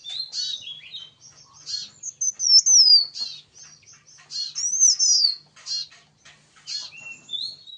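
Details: Lively yellow-bellied prinia song: clusters of sharp, high chirps broken by clear whistled slurs that dip and rise. Each phrase lasts a second or two, with short pauses between.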